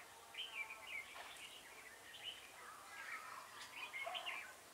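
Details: Red-whiskered bulbul decoy bird used for trapping, recorded 6 November 2017, with a voice described as long like a pump. Warbled, slurred phrases repeat across the clip, rising and falling, with quiet background hiss.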